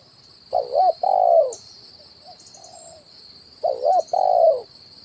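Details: Spotted dove call used as a lure for trapping wild birds, the kuk 1 style, from a bird on branches and ground: low, hollow cooing phrases in a double pattern, repeated after a pause, over a steady high hum.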